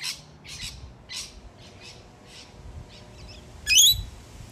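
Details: Wild rainbow lorikeets visiting a balcony in Melbourne, Australia, bickering among themselves: a run of short, harsh, raspy squawks, softer chattering notes, then one loud shrill screech near the end, with faint background hum.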